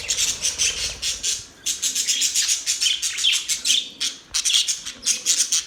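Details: Several budgerigars chirping and warbling in dense, rapid bursts of high, scratchy notes, nearly continuous with brief pauses around two and four seconds.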